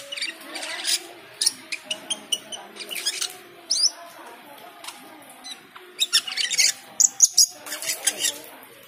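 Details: Cucak keling in energetic, varied song at the call to prayer, a steady stream of sharp, high-pitched chips and chattering bursts, some rapid and rhythmic, with faint chanting beneath.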